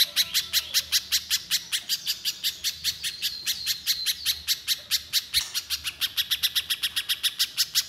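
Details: A little spiderhunter sings gacor nembak: sharp high notes fired in quick succession, speeding up in the final seconds, with a soft low drone underneath.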